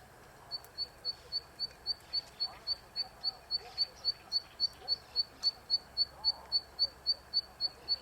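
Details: Zitting cisticola singing from an electric wire, the first of its songs heard this season: sharp, high 'zit' notes repeated evenly about four times a second through the whole stretch, over a faint low background hum.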